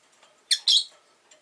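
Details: Caged rosy-faced lovebirds kept by a window, one of five in the flock, give two loud, harsh, high chirps in quick succession, the second longer and buzzier, over quiet indoor background.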